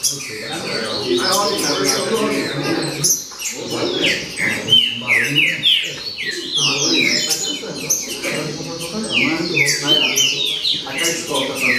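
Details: Green-winged saltator in a baderna: a long, lively chatter of rapid descending whistles, about three per second, broken by one short silence and then resumed, with low murmuring noise throughout.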